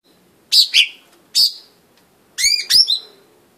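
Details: Blue-winged leafbird, known locally as daun sayap biru or daun sami, giving short sharp harmonic chirps in pairs, then a curved whistled note followed by a quick double chip, over a quiet background.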